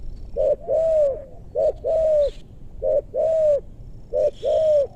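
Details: Low mellow coos of a spotted dove in a meranti forest in West Bogor, during luring of wild birds with big voices. Each phrase is a short clipped note and then a drawn-out arched coo, repeated four times steadily.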